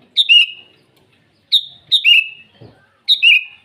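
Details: Morning rival-calling song of a sooty-headed bulbul: four quick liquid phrases, each starting high and dropping into a bubbling warble, with a faint low thump between the third and fourth.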